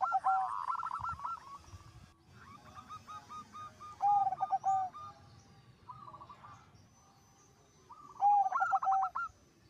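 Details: Zebra dove song meant to prompt other zebra doves to join in: bubbling, trilled cooing phrases of pulsed notes, several bouts with gaps of a few seconds, and a faint background murmur.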